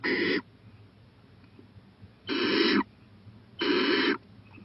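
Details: Owl venturing to a porch at 11:26 pm on April 23, 2018; three coarse, breathy hissing screeches about half a second long, spaced over a second apart, with low background hum.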